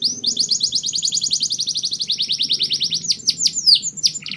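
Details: Mushti canary song meant to prepare females for breeding: a long, very rapid rolling trill held for about three seconds, then a few sharp falling whistles.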